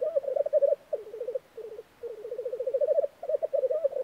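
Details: Black grouse at a spring lek in Norway: low bubbling, cooing phrases in rapid pulsed runs, some rising and swelling in loudness, separated by short pauses.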